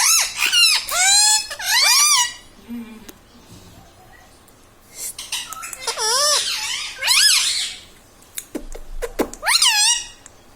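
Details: Green ringneck parrot at home talking mummy papa and radhe radhe; loud squeaky rising-falling word phrases in clusters, separated by a quiet pause and softer murmurs.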